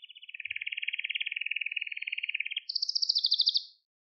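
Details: Canary singing, from a recording to train young canaries: a softer, steady buzzy trill lasting over two seconds, then a short higher roll that fades into silence.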